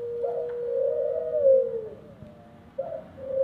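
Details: Aviary ringneck dove giving one long, even, mellow coo that swells and then falls away, followed after a pause by the start of another soft coo over a faint low hum.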